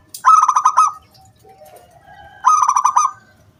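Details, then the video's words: Loud local wild zebra dove singing to draw other doves into song: two rapid, harsh rattling trills about two seconds apart, with a soft low note between them. "SUARA KRISTAL KUNG BULAT PANCINGAN SANGAT AMPUH BURUNG PERKUTUT GACOR MANGGUNG"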